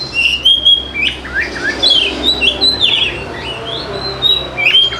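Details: Oriental magpie-robin singing to coax lazy birds into song, a busy mix of clear whistles, buzzy slurred notes and scratchy chatter running steadily through the recording.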